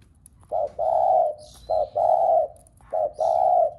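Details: Spotted dove cooing to get other doves calling: three evenly spaced low phrases, each a short hoot followed by a longer steady coo, with faint high chirps in the background.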